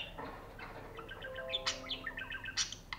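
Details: A caged budgerigar courting its mate or a toy while bobbing its head gives a rapid string of chirps and warbles, with bright squeaky notes and a few sharp clicks over about three seconds.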